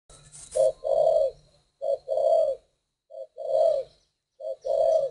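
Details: A northern Vietnamese spotted dove of the "hoa mơ" type, valued for its fine voice, coos a low, mellow phrase: a short note and then a longer hollow coo, repeated about every 1.3 seconds, in a quiet setting.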